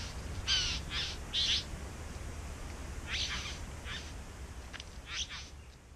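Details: Bowerbirds singing and nesting in a back yard, said to have taken a blue golf tee: a series of short, harsh, hissing bursts in two loose clusters, some carrying faint whistled tones, over a steady low hum.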